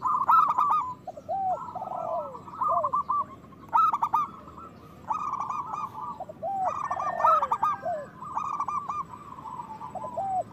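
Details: Cooing of local zebra doves intended to stimulate other doves to breed and sing: loud rough coo bursts recurring every few seconds amid continuous quick staccato notes from several birds.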